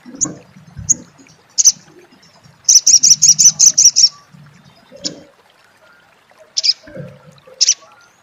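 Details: Scattered high chips around a fast run of about eight loud, ringing high notes, a crecet-style phrase from an olive-backed sunbird (sriganti), with faint low rumbling noise beneath.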